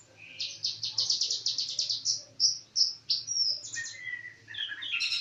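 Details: Common iora (konin) singing actively: a fast run of buzzy notes repeated about three per second, then clear rising whistles and scratchy chattering phrases, with a low background hum.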